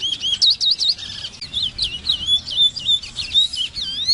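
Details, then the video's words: A congo, or large-billed seed finch, gives a brisk melodic song: clusters of rapid curling whistles, a jumbled chattering passage, then clear looping notes ending on a rising whistle. "SONIDO DE CANTO DE AVE CONGO (Sporophila crassirostris)"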